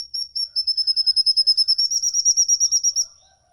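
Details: Caged songbird's long ngikik call, used as a lure to stir pet birds into singing. A rapid, even chain of high piercing whistled notes runs for about three seconds, then fades out. The background is clean.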